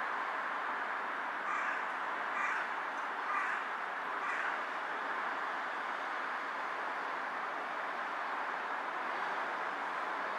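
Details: Carrion crow on a power line, bowing with each call, 18 July 2023, afternoon: four rough caws spaced roughly a second apart, then only a constant loud hissing background for the remaining seconds.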